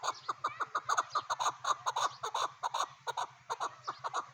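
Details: Chukar partridge repeating loud, throaty chuk notes in a quick, slightly uneven series, almost two per second, over a faint low hum.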